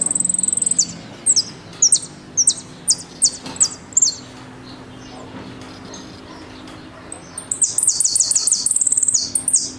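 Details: Jilguero, an Argentine goldfinch, sings "El Meryl" style song with golpe and pitadas: spaced high, sharp downslurred whistles, a quiet gap, then a fast rattling run of high notes.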